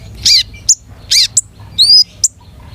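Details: Long-tailed shrike in 'gacor' song with a rich repertoire: harsh grating notes alternating with short sharp high chips and one rising whistled slur, each sound well separated.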